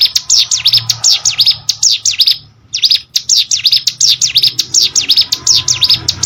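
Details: Loud, rapid chirping song of a ciblek sawah prinia, a string of sharp V-shaped notes interrupted by one brief gap before the fast series carries on.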